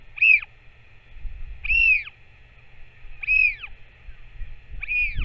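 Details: Northern royal albatross feeding its chick, 21 May 2024. Four loud, clear, arched wailing calls repeat about every one and a half seconds over a constant hum, with a low thump at the end.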